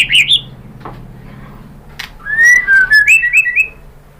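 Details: White-rumped shama singing as a lure to make other birds reply: a brief chirpy opening, quiet clicks, then a run of clear whistled notes sliding up and down in a rhythmic series.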